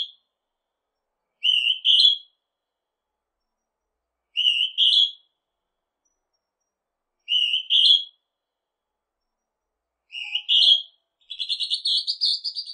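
Northern hawk-cuckoo giving a shrill, high two-part whistle, rising at the end, repeated about every three seconds, then breaking into a quicker excited run of notes.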